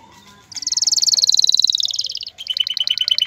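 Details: Male canary song meant to ready a female for mating and nest building, a fast high trill sliding slightly downward for nearly two seconds, then a brisk run of clipped repeated notes.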